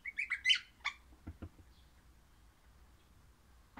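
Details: Orange-variety crimson rosella giving a quick burst of loud, harsh, chattering squawks over about one second, followed by soft tapping sounds and then quiet.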